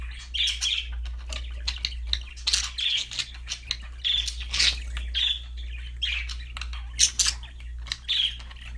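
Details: Loud, busy budgerigar chatter: rapid chirps, harsh squawks and bright whistled notes in uneven bursts, almost without pause, over a faint low hum.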